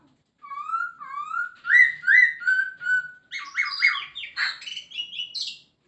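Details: Masked laughingthrush (Poksay Hongkong) in full varied song: a run of loud, looping whistled notes, then quicker, harsher and buzzier notes at higher pitch, about two to three notes per second.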